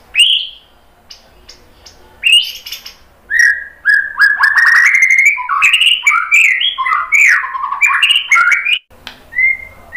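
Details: A white-rumped shama sings to provoke rival birds. It starts with a few scattered whistles and clicks, then builds into a long, fast, continuous warble of tumbling mixed phrases, followed by a short falling whistle.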